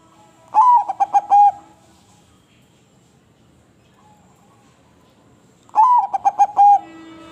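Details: Crossbred zebra dove, kept for its sweet voice, repeats its rolling coo twice about five seconds apart. Each phrase has a rising opener, a stutter of quick pulses and a lingering end note, with a soft coo between.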